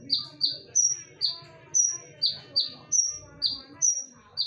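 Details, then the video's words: Konin lure song: loud, clear whistled notes repeated about twice per second, pairing lower down-slurred notes with a sustained, sharper high note. A soft low hum sits behind. "SUARA TAJAM DAN NYARING / BERANI DENGARKAN SUARA PANCINGAN KONIN INI??"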